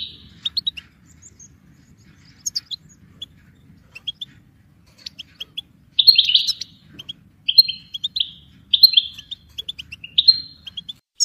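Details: Goldfinch song meant for training songbirds: scattered thin tinkling notes at first, then tinkling twittered phrases in short bursts during the second half, with a clean, quiet background.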